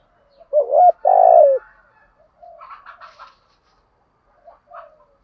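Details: Spotted dove, 'hạp bổi' voice with calling, urging and cooing. A loud double coo, short then long and falling at the end, is followed by quieter grainy murmured coos and a faint final note.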